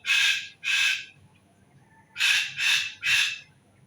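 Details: A bird gives loud, harsh, broadband squawks: two in quick succession, a pause of about a second, then three more in a tight row, each lasting under half a second, with a quiet background.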